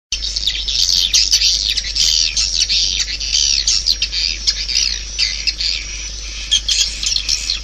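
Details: Swiftlets calling: dense, overlapping high chirps and squeaky twitters form a continuous busy chatter, with short bursts and brief dips throughout and no other clear sounds.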